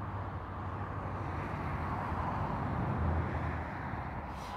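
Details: Steady low rumble of passing traffic and wind with no animal sounds.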